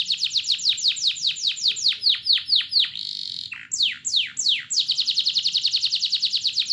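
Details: Canary singing as a lure meant to make other canaries start singing: descending whistled sweeps repeated in quick series, a brief steady buzzy note, then more falling sweeps and a rapid, even trill of high repeated notes.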